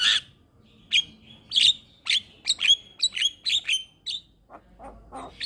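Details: Javan myna tutor song for young birds: a rough opening note followed by a steady string of sharp, squeaky chirps about twice a second, fading into softer low notes.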